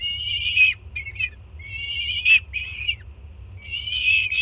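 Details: Jersey City nest-cam peregrine chick screaming at its mother bringing breakfast, 24 June 2017. Three long, drawn-out rasping screams with rich overtones, each ending in a sharp upward flick, with a faint low rumble beneath.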